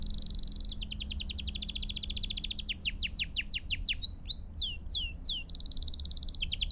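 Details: Belgian canary song used to stimulate and train birds: a high rolling trill, then steady repeated downswept notes, slurred whistles, and a final fast bright roll.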